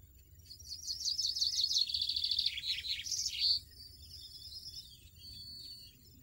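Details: European goldfinch singing in nature: a clear, liquid phrase of rapid chirps and tinkling trills for about three seconds, ending in a sharp note, followed by a soft, thin trailing twitter against a quiet background.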